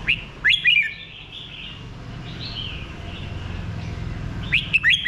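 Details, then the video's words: Red-whiskered bulbul sings two bursts of bright, bubbling whistled notes, one at the start and one at the end, with soft background hum between. "nghe chim Chào mào hót"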